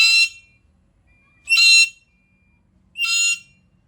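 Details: Black-capped lory calling loudly: three rasping, strident screeches at steady intervals of about one and a half seconds, with quiet between.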